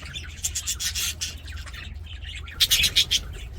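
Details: Budgerigars in an aviary, singing and playing, with rapid grating chirps in a short run, a brief lull, then a fresh series of loud, sharp, clipped notes; low hum underneath.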